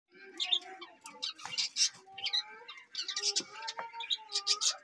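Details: Budgerigars chirping and warbling, with short bright chirps mixed with lower, steadier warbled notes in a busy, continuous chatter.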